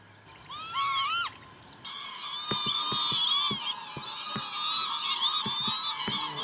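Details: Northern lapwing (Vanellus vanellus) recorded in Pyarkovichy, Belarus, in July 2025, giving wheezy, slurred 'pee-wit' calls that rise then fall, followed by a busier stretch of overlapping bird calls and sharp clicks.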